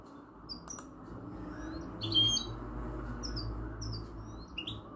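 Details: Song of a European goldfinch x canary hybrid, locally called mixto: bright, thin whistled notes and quick twittering slurs, some falling, with a brief harsher buzzy burst midway, set against a constant low background hum.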